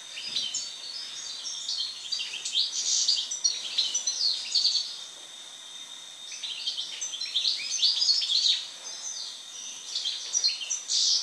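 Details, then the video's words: European goldfinch singing after moult: a dense, continuous twittering of high tinkling notes, quick trills and buzzy slurs with no real pauses, over a faint steady high whine. "European Goldfinch (Carduelis Carduelis) after moult song."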